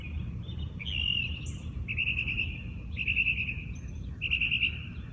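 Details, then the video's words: Morning birdsong in a natural setting: a series of whistled, slightly trilled phrases repeated roughly once a second, with faint higher chirps between them and a constant low background hum. "Listen to the birds sing"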